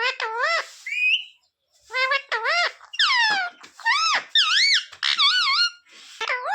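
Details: Talking parrot repeating phrases indoors: a run of tonal, wavering, voice-like syllables with rising and falling pitch, grouped into short bursts with brief pauses.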